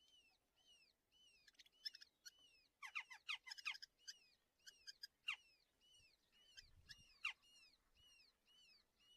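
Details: Two Red-footed falcon chicks at a nest, breeding colony near Hortobágy National Park, Polgár, Hungary, breakfast feeding, 21 June 2024, give begging calls: thin, high, downslurred squeals repeated steadily, broken by louder bursts of harsh chattering.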